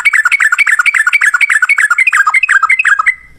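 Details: Sooty-headed bulbul, lively 'ropel ngalas' style meant to make other bulbuls answer; a dense, even stream of quick liquid whistled notes, each dipping then rising, about four per second, ending abruptly.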